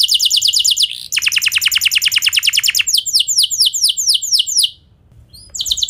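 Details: Canary song meant to trigger singing in other canaries: a quick trill, a brief gap, a long pulsed trill, then falling whistled sweeps, a short pause and a resumed phrase.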